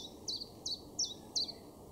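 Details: Common Chiffchaff singing in a garden in Weener, East Frisia, northwest Germany, in May: four clear high chiff-chaff notes, each a sharp downward-dropping chirp, spaced about every 0.35 seconds over steady background noise.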